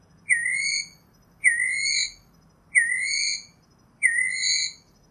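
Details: Northern mockingbird singing a phrase of clear, slightly rising whistled notes with bright high overtones, repeated four times at about one-second intervals over faint low background hum.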